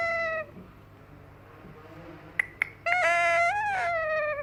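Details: Young yellow Indian ringneck parakeet imitating a cat. A short nasal meow-like note opens, then a quiet gap with two sharp clicks, then a longer harsh, wailing meow that rises slightly and falls away over about one and a half seconds.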